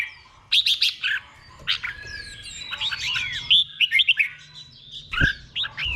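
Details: Red-whiskered bulbul in 'beun' doubled-song style, kept caged, used as a tutor song: quick chirpy whistled notes in a busy run, with a low background hum and one sharp click.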